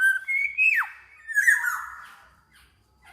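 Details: Golden black-naped oriole, sung to stimulate other orioles: a clear fluting whistle rising then dropping sharply, followed by a softer descending slurred note.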